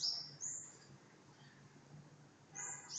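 A bird gives high, thin chirps in two short bursts, one at the start and another near the end, with a low steady hum between them.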